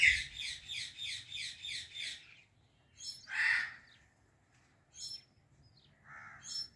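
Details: Female Indian ringneck parrot in a blooming apple tree: a rhythmic series of raspy chatter notes, then a few scattered, rougher calls and short squeaks with quiet gaps between them.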